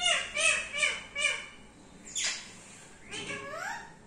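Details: Pet parrot uttering four rapid arched squawks, then a sharp downward-sweeping shriek and a final rising, wavering call, in a small indoor space.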